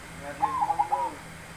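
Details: Zebra dove described as having a big voice, giving one short cooing phrase of about four quick, rolling notes that rise and fall slightly, over a faint steady background hum.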